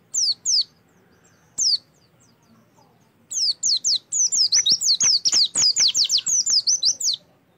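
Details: Oriental white-eye song used as a prompt for singing: a few scattered high, down-slurred whistles, then a long, fast, continuous run of sharp descending notes lasting about four seconds.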